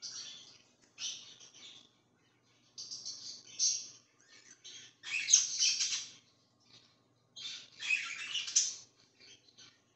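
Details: Parakeet chirping in separate bursts of high, buzzy chatter and warbling, each lasting about a second, with quiet spells between them.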